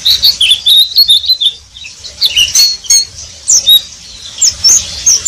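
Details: Oriental white-eye (pleci) in ngeriwik style, with high, rapid chirping trills and twittering bursts separated by brief gaps, against a soft low hum.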